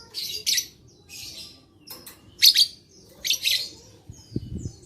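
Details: High, scratchy lovebird chatter, presented as a lure to prompt other lovebirds to sing: clustered bursts of harsh twittering with short gaps between them, and a few low knocks at the close.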